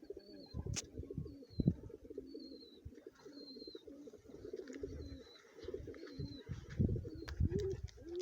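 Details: Lotan pigeon cooing in low, throaty, repeated rolls, with thin high whistled notes sounding at intervals above and occasional clicks and knocks.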